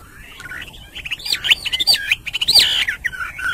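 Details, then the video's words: Hwamei song at morning, more distant and softer: wavering, looping whistles over a background hiss, with a few sharper notes standing out. "Nghe chim họa mi hót hay mỗi sáng"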